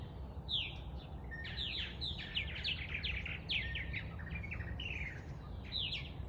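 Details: Purple martins on April 11, 2022 chatter in a busy, overlapping stream of gurgling, downslurred chirps from several birds, over a steady low rumble of wind or distant traffic.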